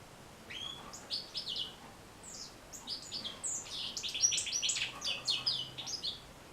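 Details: European goldfinch song used to stimulate captive goldfinches to sing: quiet opening notes build into a fast, tumbling twitter of high chirps and buzzy trills, growing louder toward the end.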